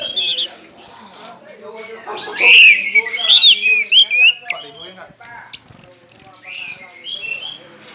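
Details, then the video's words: Caged orange-headed thrush, prized for contests, in loud song with tail spread: a busy mix of bright whistled phrases, twisting slurs and very high buzzy trills, broken by short silent gaps. "putar am volume dasyat ini,burung lain pasti nyaut"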